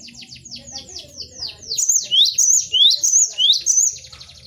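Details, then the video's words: Cinereous tit, locally gelatik batu, in a 'bongkar isian' song used for training caged birds. A rapid cascade of falling notes leads into loud rising sweeps ending in trills, repeated roughly every half second. "MASTERAN GELATIK BATU BONGKAR ISIAN vol.01"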